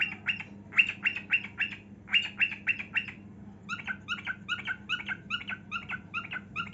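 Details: Cockatiel sings while dancing, pouring out rapid, harsh squawking notes in dense clusters, then shifting to a steadier series of shorter, repeated chattering calls at about four per second.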